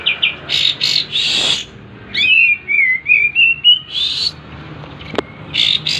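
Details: Kapas tembak in breeding condition, tail fanned, sings buzzy harsh bursts, then a long wavering whistled trill, followed by further noisy notes.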